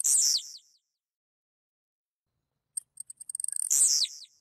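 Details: Singing blue-black grassquit in Goiás, central-west Brazil: a buzzy falling burst fades out, a pause of silence, then sharp high ticks accelerate into another harsh descending buzz.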